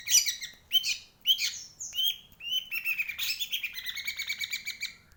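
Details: Lively, sharp song of a purple-throated sunbird: varied high chirps and short slurred whistles, first spaced, then a fast jingling twitter of repeated notes continuing to the end.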